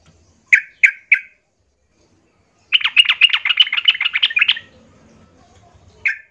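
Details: Yellow-vented bulbul singing aggressively while seeking a rival: three short bright chirps, then a fast run of about fifteen rapid buzzy notes, a pause, and one final chirp. A faint low hum sits underneath.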